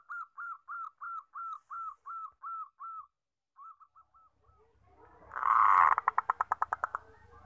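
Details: Zebra dove of the common type with 14 tail feathers, the most numerous kind, found in forest and in mass bird keeping, suited to luring. It gives about ten evenly spaced, hooked mid-pitched coo notes, then a few softer ones, then a loud rough burst with background noise.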